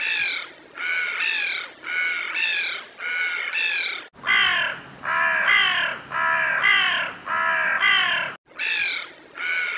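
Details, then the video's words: A crow gives harsh, rasping caws, about one a second in runs of four to six, each slightly falling at the end; nothing else is heard. "Bruit du Corbeau : Le Croa Croa Inquiétant et Fascinant à Écouter !"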